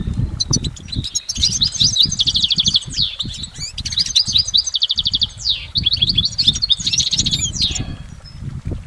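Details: Goldfinch song in nature: long runs of fast tinkling twitters and rattling buzzy trills, one downslurred note near the end, all over a steady low rumble of background noise.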